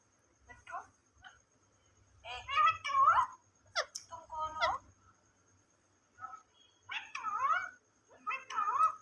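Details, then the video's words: A pet rose-ringed parakeet talks indoors in short, nasal, speech-like phrases with bursts of rising and falling syllables and a few sharp clicks, across about nine seconds. "Ringneck Parrot Talking"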